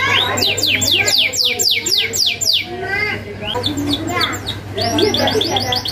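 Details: Canary song with sharp rolls for tutoring young birds: a rapid series of high downward sweeps for about two and a half seconds, a brief lull, then more trilled phrases over a faint hum.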